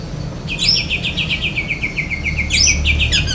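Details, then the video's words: Oriental magpie-robin, black-breasted kacer dada hitam, singing besetan kapas linked to lovebird mimicry: a fast, even series of repeated chirping notes, opened and closed by high squeaky slurred calls. "Kacer DAHIT besetan kapas tembak sambung lovebird"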